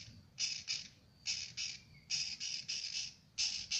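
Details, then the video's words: Newly hatched Eurasian oystercatcher chick at Zoo Praha, Czech Republic, giving high, thin piping peeps in short bursts, roughly one to two per second, with pauses between groups; faint low background hum. "Čerstvě vylíhlý ústřičník velký"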